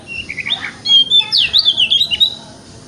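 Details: White-rumped shama in the wikplong style, used in the morning to prompt a shama to open its tail: a brief burst of mixed whistles, buzzy sweeps and fast trills, rising in intensity, over low background hiss.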